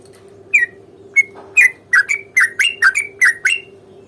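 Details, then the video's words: Sooty-headed bulbul delivering a provoking fighting song, starting with a few spaced whistled notes then quickening into a run of bubbly slurred phrases, a low hum in the background. "trucukan gacor tarung ROPEL PANJANG pancingan trucukan agar bunyi JADIKAN burung trucuk GACOR nyaut"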